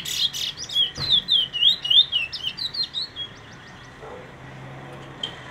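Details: Brown bullfinch giving a rapid string of high, bouncy chirps, about three per second, for three seconds, then near silence with one last faint note.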